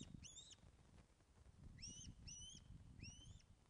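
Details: At the Loch of the Lowes nest in Scotland, webcam, 24 August 2012, 14:10, an osprey fish delivery brings clear whistled calls: one upslurred note, then after a gap three more in quick succession, each bright and rising.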